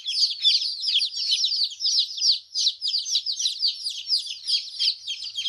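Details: Chorus of baby chicks giving rapid high-pitched peeps, notes crowding and overlapping in quick irregular bursts, continuous throughout with a clean quiet background.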